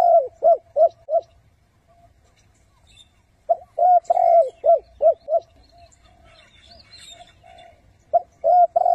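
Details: Spotted dove lure bird for trapping wild doves, cooing in thúc-gù style: clipped coos repeated in quick runs of three to five, long gaps between runs, with faint chirping of other birds in the background.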